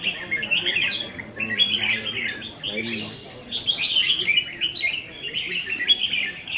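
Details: Several caged red-whiskered bulbuls sing against each other in a contest session on 15 May 2021. Quick, rolling, chirpy phrases come in dense runs with short breaks, and faint voices sit in the background.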